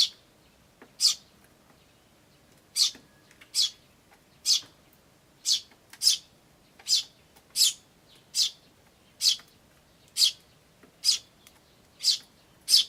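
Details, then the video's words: Eurasian tree sparrow chicks begging with persistent "chi chi" chirps as adults call nearby, 10 May 2013; around fifteen short high chirps in a steady series, roughly every 0.7 seconds, quiet background. "スズメと雛の鳴き声(5) Sound of Tree Sparrows and chicks (5)"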